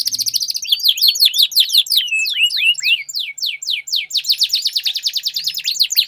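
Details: Canaries in a song duel, as a lure for reluctant singers: a continuous run of quick down-slurred notes and bright chips that blends into a dense high rattling roll.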